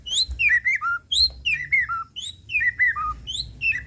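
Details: White-rumped shama, murai pastol type, singing a lure phrase to rouse other shamas: a high note followed by descending whistled notes, the same phrase repeated roughly once a second.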